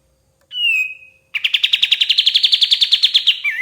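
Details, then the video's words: White-shouldered triller song used to train songbirds. A short, even whistle comes first. A brisk trill of many sharp, rhythmic notes follows and closes with a lower, slurred note. "KAPAS TEMBAK GACOR SUARA PAS BUAT MASTERAN BURUNG JUARA"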